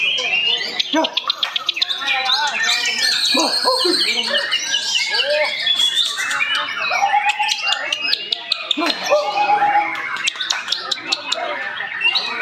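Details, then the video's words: White-rumped shamas at a national-class singing competition in Matraman, entered by Medan shama keepers; dense overlapping whistled and chattering phrases with sharp repeated clicks from several caged birds at once, with crowd murmur beneath. "lomba burung murai kelas nasional"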